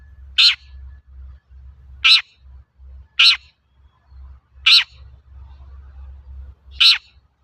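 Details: Long-tailed shrike, an actively calling bird used to prompt reluctant shrikes to sing: five short, harsh, buzzy notes at irregular intervals of one to two seconds, with low rumbling background noise.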